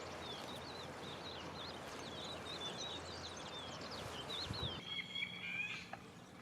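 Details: Sand martin nest colony beside the Gállego river in Zaragoza, June. A busy stream of short wavering twitters repeats several times a second for about five seconds, then a single clear whistle over a quieter, steady background.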